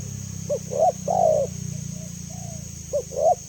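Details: Spotted dove calling: short low coos followed by a longer drawn-out hoot that slides downward, then a pause and another pair of coos, over a constant low hum and a steady high whine.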